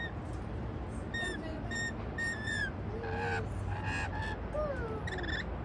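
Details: Rainbow lorikeets feeding on white bread in a patio give a busy run of short, scratchy squawks and chirps of varying pitch, several overlapping, against a low background hum.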